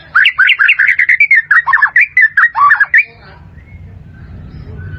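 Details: A white-rumped shama song meant for tutoring caged birds: a fast, dense three-second stream of varied whistled and chirping notes, roughly two or three per second, then stopping abruptly into faint low background hum.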